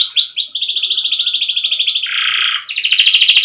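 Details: Canary song recorded clean as a training model for young canaries: a sustained rolling trill of rapid pulses, dropping into a lower buzzy roll before climbing to a quick high trill.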